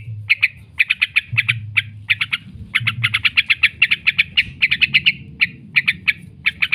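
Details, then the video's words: Yellow-vented bulbul in long 'ngekek' chattering, used as a lure to train birds: rapid bursts of harsh, sharp notes repeated in quick runs with brief pauses, steady low hum beneath. "trucukan gacor ngekek panjang sekali"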